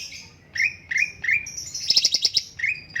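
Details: Master-voice cucak cungkok bulbul giving repeated upward-curving chirps, a short burst of rapid rattling notes, then further rising chirps.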